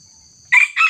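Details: Crow of a red junglefowl while a decoy cock is set against a young wild bird: two loud, rough bursts in quick succession over a thin, steady insect buzz.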